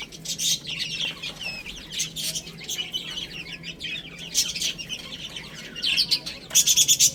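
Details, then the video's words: Little chicks eating and playing, giving bright, high cheeps in overlapping bursts, closing with a quick run of five loud, evenly spaced peeps. "Cute Little Chicks Chirping Sounds"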